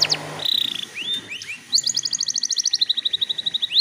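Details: Canary lure song for getting other canaries singing. A buzzy trill, a few slurred whistles, then a long rapid trill of bright repeated notes that gradually drops and slows.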